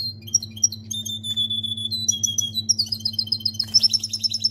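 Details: Canary in goldfinch-style song: scattered high thin whistles and chips build into a fast, regular trill of bright twittering notes near the end, over a continuous low hum.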